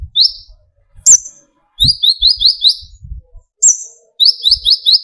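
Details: Brown-throated sunbird (kolibri ninja) in lively song, used as a lure to stir other sunbirds to sing: short bursts of thin, high, sweeping chirps, with a bright upslurred whistle between, and soft low knocks underneath.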